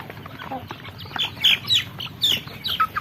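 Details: Chicks, little chickens, calling with sharp high peeps, several loud clear notes in quick irregular succession over a background of softer cheeping.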